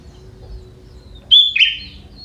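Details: Sooty-headed bulbul, a young forest bird with prinia-like phrases in its song; after a quiet second, one clear whistled note runs into a lower warbled flourish, then a faint high note.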